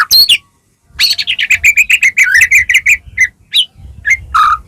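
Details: Energetic white-rumped shama song, full of varied phrases, meant to prompt other shamas to answer. A sharp high flourish, a pause, then a fast string of repeated chattering notes, then scattered whistled phrases.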